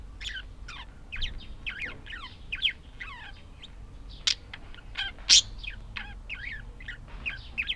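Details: Budgerigars chattering in a rapid warble of short, high chirps and sweeping notes, dense and continuous, with a few louder sharp clicks standing out.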